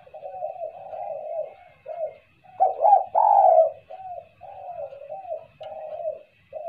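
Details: Spotted dove calling as a lure sound, a string of soft quavering low coos rising to a louder stressed coo midway, then quieter notes again, with a faint hum in the background.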